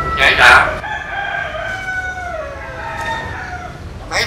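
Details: Talking common hill myna from Vietnam's western Mekong region mimicking a person: a loud, clipped opening syllable, then a long drawn-out voice-like phrase with steady layered tones that slowly fall, ending in a brief sharp note.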